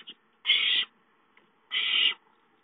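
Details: ['Food-begging owlets at home, 5-9-13: two loud, even, raspy hisses of about 0.4 seconds each, separated by a pause of over a second, with a brief faint chirp at the start.']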